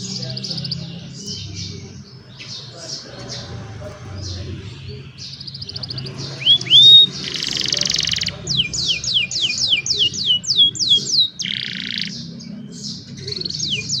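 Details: Young canaries singing for other canaries to learn from, on a cellphone. Soft mixed warbles and rising whistles, a harsh buzzy burst, then a quick series of sharp downslurred notes.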